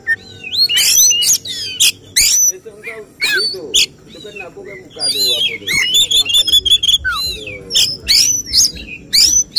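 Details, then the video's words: Oriental magpie-robin during a songbird competition, pouring out a fast jumble of 'tembakan' phrases judges look for. It mixes clipped whistles, scratchy notes and quick rattled trills in a dense ten-second run, with faint voices behind. "Suara tembakan Kacer yang diincar juri saat lomba burung berkicau"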